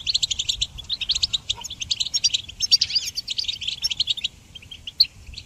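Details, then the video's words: Goldfinch singing for songbird training, a bright rapid chatter of clipped, ringing notes and liquid twitters packed closely together, easing into sparser notes near the end. "Goldfinch Song Training"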